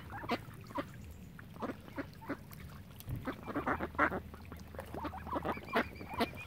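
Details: Ducks flocking around visitors at Lough Neagh, Oxford Island, Ireland, give loud, coarse quacks in uneven clusters over a low-pitched background drone, with a brief thump near the middle.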